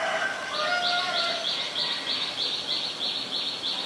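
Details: Common myna (Acridotheres tristis) in Ubon Ratchathani, Thailand, 15 March 2021: a few low whistled notes, then a steady run of high, harsh buzzy chips about three a second over faint outdoor background noise.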